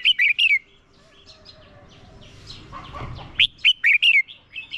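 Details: Red-whiskered bulbul decoy bird singing a fighting song to lure wild birds: short bursts of bright, warbled notes around the start, a quiet gap, then a rapid run of clear, slurred whistles near the end.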